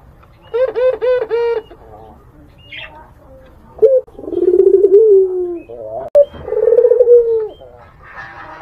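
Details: Barbary dove cooing to lure a rival: a quick stuttering run of short notes, then long, low, mellow drawn-out coos that slide slightly downward, with brief quiet gaps between phrases.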